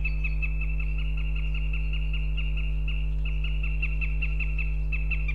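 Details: Wild female northern goshawk in Riga, Latvia, on February 18th, calling for her partner: a steady run of sharp, high, nasal notes about three per second, repeated throughout against a constant low electrical hum.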